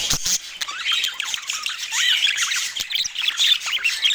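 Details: Pet budgerigars chattering: dense, fast warbling of squeaky, twisting notes and short chirps, overlapping with no pauses, with a few clicking sounds near the start.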